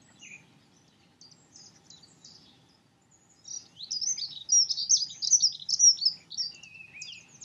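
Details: Dunnock song: scattered faint high chips, then a sustained, fast, tumbling warble of squeaky notes for about three seconds that fades into a thinner trill.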